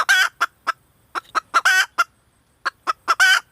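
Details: Female red junglefowl making irregular sharp clucks and three strong, buzzy squawks in quick succession, recorded close and clear.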